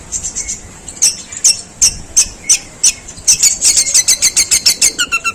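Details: Long-tailed shrike mimicking sparrow calls in long, rough song: spaced sharp high chips that speed into a rapid chattering series, with a few lower notes near the end.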